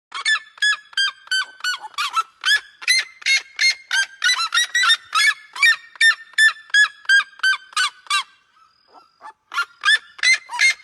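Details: Seriemas calling: a long series of loud, sharp yelping notes repeated about three times a second, each with a steady harmonic stack, pausing briefly near the end before the series resumes.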